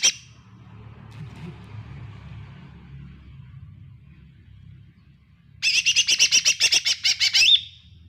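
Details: Lesser green leafbird song used as a lure for a quiet bird: after low murmuring, a burst of rapid buzzy chattering notes repeated about four per second for two seconds.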